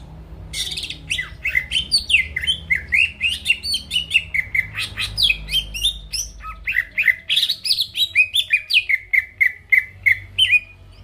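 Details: Greater green leafbird singing to provoke rivals: a long, lively stream of varied sharp chirps and slurred whistles, ending in a steady series of short repeated notes about three per second.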